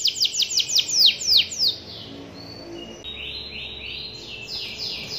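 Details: Canary song opening with a series of sharp descending high chips, about five per second, then a pause and a sweet rising run of smoother whistled notes.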